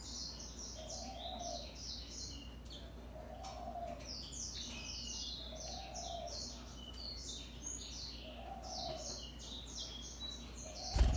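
A European greenfinch sings a steady run of bright, twittering chirps and quick trills. A soft, low hoot repeats about every two and a half seconds, and a sharp click comes at the end.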